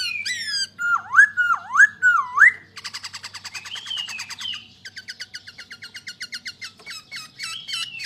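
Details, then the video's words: Masked laughingthrush, known as Poksay Hongkong, gives loud looping whistled notes that dip and rise three times, then a long dry rattling trill, a rising whistle, and a quick series of clipped repeated chips. "POKSAY HONGKONG YANG BERKELAS"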